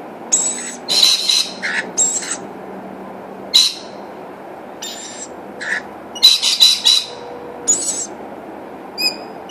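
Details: Rainbow lorikeets, a mother and father with their new baby, at a feed: harsh screeching squawks come in short bursts, some overlapping, with a few sharp high notes, over steady low background noise.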